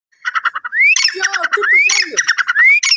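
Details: Grey francolin (dakhni teetar) giving loud, rising whistled notes roughly once a second, mixed with harsh, rapid squawking bursts; the birds are not fighting.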